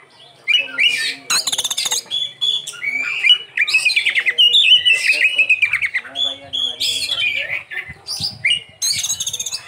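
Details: Kacer, the Oriental magpie-robin, in a continuous isian song: a rapid stream of varied whistles, trills and chattering notes, with sharp high bursts at intervals and a faint low hum behind.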